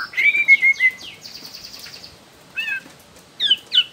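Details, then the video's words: Juvenile wild white-rumped shama from Borneo: a series of sliding whistles, a harsh buzzy burst, then short twittering notes after a gap. "MURAI BATU BORNEO Trotol Muda Hutan Ampuh Buat Pancingan Murai Batu"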